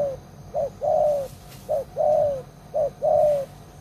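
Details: Caged spotted dove used as a decoy, known for a big voice, repeating a short note then a longer gently falling coo three times at a regular pace, with faint background hiss.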